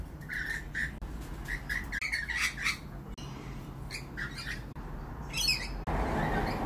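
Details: Lorikeets in the evening give shrill, screechy chattering in quick bursts, several birds calling at once, over a low rumble of background noise.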